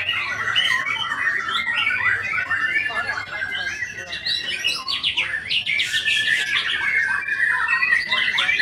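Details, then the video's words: White-rumped shama delivering a steady flow of whistled phrases, rising and falling slurs and quick trills, with a burst of sharp high notes near the sixth second. "IN ACTION MURAI BATU SAKTI"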